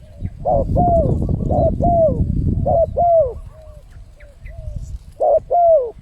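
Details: Lure call of a spotted dove for attracting wild birds, a series of two-note mellow coos with falling endings, some quieter notes between, over low-frequency noise.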